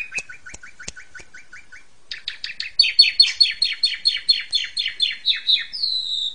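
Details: Master song of an Asian pied starling for training young birds: a series of spaced short chips, then a louder run of repeated scratchy notes ending in a long falling whistle.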